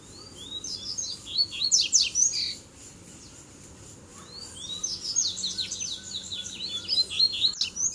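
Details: Coleiro (Double-collared seedeater) song while three birds come in at once to fight in a duel. Two bursts of rapid, tumbling high notes with quick down-slurs, separated by about two seconds of near silence. Steady background hiss.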